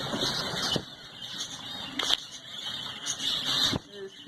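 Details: Zebra finches in a breeding colony, October 2019, chatter steadily, a dense stream of high, nasal little calls from many birds together.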